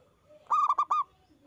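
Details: Zebra dove in full song, recorded as a master to prompt other doves to answer: a single quick phrase of four hollow, clipped coos.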